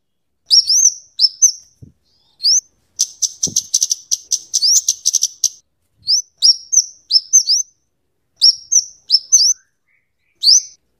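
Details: Kemade or cabe cabean, the scarlet-headed flowerpecker, in lively song valued for tutoring other birds: high rising upslurred chips alternating with a fast, dense ticking trill, delivered in bursts separated by short pauses.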